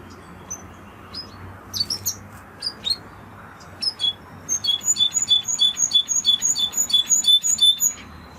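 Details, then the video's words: Spanish Timbrado canary with scattered high chirps at first, then a run of bright high notes repeated rapidly and evenly over soft background noise. "Canary Sound Effect - Canary Singing Video"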